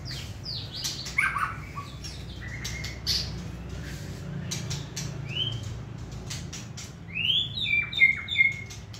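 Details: Caged white-rumped shama with a short tail, singing while held in the hand: scattered sweet whistled notes and slurs near the start and again toward the end, separated by quieter gaps over a low background hum.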